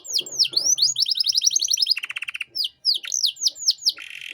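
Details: Canary master song for young birds: swooping whistles, a fast high trill, a low buzzy rattle, then more looping falling notes and a closing buzz.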